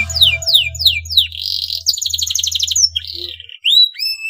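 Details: Canary male in breeding condition, song used to prompt rival canaries to sing: four descending whistled sweeps, then rapid rolling trills and short rising whistles, over a steady low hum.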